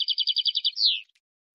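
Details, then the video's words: Wild European goldfinch, error-free song for tutoring young birds. A rapid pulsing trill of about nine even notes slides into a single drawn-out, descending buzzy note. "غناء حسون بري خالي من الاخطاء لتسميع الفراخ"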